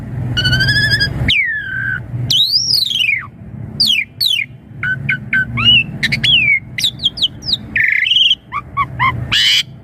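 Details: Asian pied starling song meant to get young birds answering: a nasal harmonic note, then a sweeping falling whistle, arched slurs and a varied string of sharp whistles and buzzy notes, with a steady low hum underneath.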